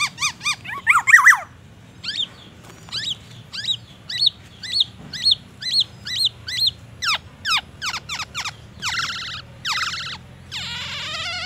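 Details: Captive black-naped oriole with a song full of white-rumped shama mimicry. It delivers rapid sharp chirps and downslurred notes, repeated in quick even runs, and ends with a more complex warbled phrase over a faint low hum.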